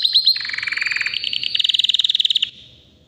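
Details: White canary, about three years old, delivering a loud rolling trill of dense repeated notes that shifts pitch midway and fades after two and a half seconds.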